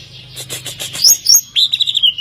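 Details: Greater green leafbird, an overall champion songbird, singing: a run of rapid buzzy chattering notes, then sharp high whistled slurs and a bright trilled phrase near the end.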